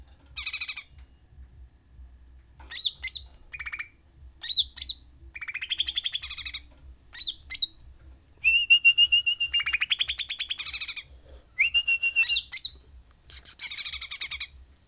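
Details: Sooty-headed bulbul singing vigorously: a long series of varied phrases mixing harsh buzzy bursts, sharp chips and steady whistled trills, phrases separated by short pauses.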